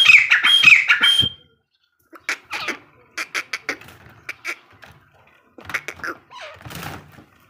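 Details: Female partridge (teetar) heard in a Sindhi hunting recording from the jungle: a loud burst of harsh, squawking notes, then a pause and scattered shorter chattering calls at an uneven pace.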